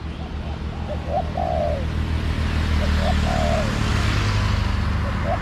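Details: Spotted dove answering a decoy while being trapped in a garden, with two clear phrases: a couple of short hoots, then a long, hoarse coo that falls away, about two seconds apart, over a steady low engine-like drone.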